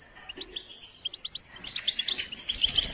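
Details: Goldfinch singing during training, a fast run of high chirps and twitters that builds into a long, thin, sustained trill with layered tinkling notes toward the end.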